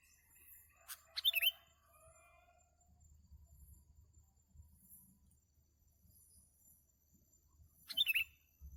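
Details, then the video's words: Sooty-headed bulbul at a trapping session: a loud, sharp chattering burst near the start and another about seven seconds later, with thin whistles and faint hissing high calls between. "MIKAT BURUNG KUTILANG SERU"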